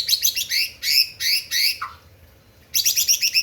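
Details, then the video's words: White-rumped shama provoking rivals with fast repeated chattering notes, several rapid bursts, a short low dropping whistle, then more quick chatter. "Murai batu ampuh memancing emosi lawan"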